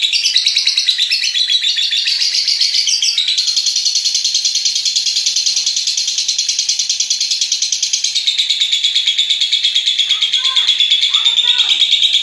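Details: .Lovebird long ngekek trill, a masteran recording played to stimulate other lovebirds to sing: a dense continuous high chattering trill sustained for about eight seconds, then shorter broken bursts with a few lower chirps near the end.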